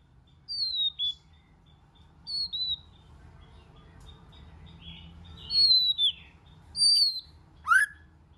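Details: White-rumped shama singing, used to stir other shamas: sparse high whistles sliding downward, a few close pairs, ending with a sharp rising note, with long gaps between.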